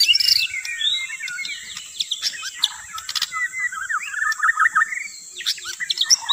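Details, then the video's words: White-rumped shama song for luring: varied sweet whistles and chattering notes, a run of quick repeated chirps in the middle, then sharp high calls, with a thin continuous tone behind. "KUMPULAN Pikat burung murai batu TERBAIK"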